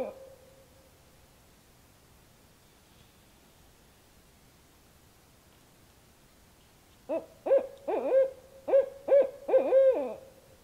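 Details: Two barred owls in the dark in north central Kansas, calling in what seemed a mating exchange; a brief hoot opens, then long quiet before a sudden burst of rapid, wavering, barking hoots over the final seconds.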